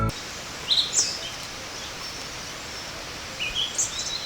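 Pied thrush giving two brief bursts of thin, high, sibilant notes about three seconds apart, over a steady hiss of background noise.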